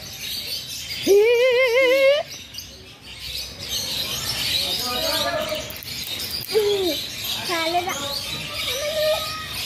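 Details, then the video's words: Blue-and-yellow macaw talking: a loud drawn-out harmonic call, then several shorter wavering squawks and speech-like notes, with a person saying hello and a quiet background. "Yellow-blue Macaw Parrot beautiful talking"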